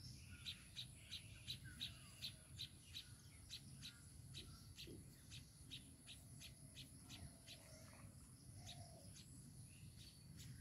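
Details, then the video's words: Baya weaver and its chicks: quiet, rapid series of short, high chirps, evenly spaced, with a few soft, sliding notes lower down, over a steady low background rumble and a thin, high hiss. "babui pakhi are tar baccha"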